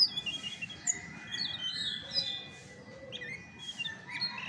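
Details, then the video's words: Chestnut-backed thrush, original song without tutor sounds: clear high whistled chirps and short slurred phrases separated by brief pauses, with a faint low hum underneath. "SUARA ASLI ANIS MACAN TAPA MASTERAN"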